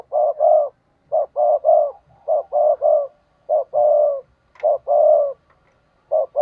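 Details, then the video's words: Spotted dove decoy bird in Vietnam, used to call in and provoke wild rival doves, singing in the native-voice style: repeated mid-pitched cooing phrases, short notes then a longer drawn coo, roughly once a second, clean quiet background. "Chim cu gáy mồi chuẩn thúc kích bổi nhanh nổi hiệu quả"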